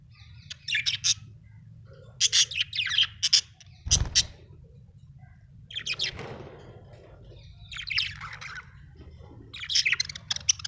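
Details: A happy budgerigar chatters in bursts of quick high chirps and scratchy warbles, pausing between phrases, with one dull knock midway.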